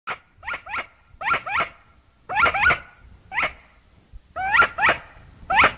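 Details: Chachalaca (aracuã) calling in harsh, ringing notes, each rising then falling with strong harmonics, mostly given in doubled bursts at irregular intervals with short silent gaps.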